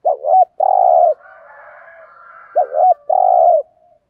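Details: Luring coo of a decoy spotted dove in the 'thúc gù' manner: two short-long pairs of hoarse notes, each opening with a quavering note, with soft faint background sounds between them.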